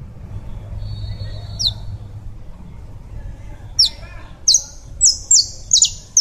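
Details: Saffron finch of the Colombian kind singing: an isolated high chirp, a quiet gap, then a quickening run of six shrill descending chirps, with low background hum throughout.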